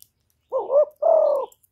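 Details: Cu cườm, a spotted dove used as a decoy, cooing once: a deep, mellow two-note phrase, the first note bending up and down, the second flat and slightly vibrating, against a quiet background.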